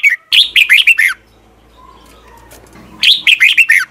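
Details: Red-whiskered bulbul in morning song used to train birds: two fast bursts of bright, rolling, slurred notes separated by about two seconds of quieter background with a low hum.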